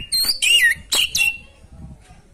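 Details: Orange-headed thrush, sung to trigger breeding urge in a caged listener: a few loud, bright phrases of swooping whistles with shrill upper notes, then a short quiet tail.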